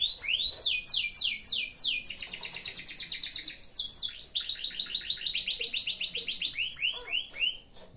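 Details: Canary song meant to stimulate a canary that is lazy to sing: a bright, continuous stream of rapid high trills and rolling repeated notes, shifting between several fast phrase types without pause.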